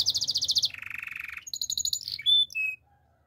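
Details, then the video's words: Male canary singing: a fast high trill, then a lower buzzy rolled trill, followed by bright sweeping notes and a sharp clear whistle before the phrase fades to quiet, with a faint low hum underneath. "Male canary singing with beautiful voice"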